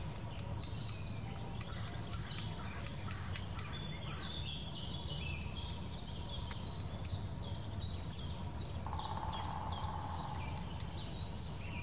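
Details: Eurasian nuthatch in the Wittlicher Senke: a long, steady run of sharp, down-slurred whistled notes repeated rapidly over constant background hiss, with a brief low hum near the end.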